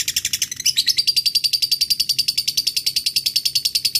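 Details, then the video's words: Long 'ngekek' chatter from a lovebird calling a rival. Quick, scratchy, high notes rise in pitch early on, then continue at an even rapid pace. "Lovebird figh ngetik ngekek panjng"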